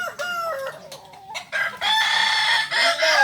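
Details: Kokok Balenggek chicken at a crowing practice gathering in Ampang Kualo, Kota Solok; short arched crow notes break up at first, then a loud, bright, sustained crow holds steady before dipping at the end.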